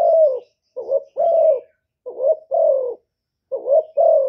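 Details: Cà Mau spotted dove acting as a decoy for wild doves: a long coo, then three paired phrases of a short wavering note and a sustained falling coo, low and mellow, no other sounds.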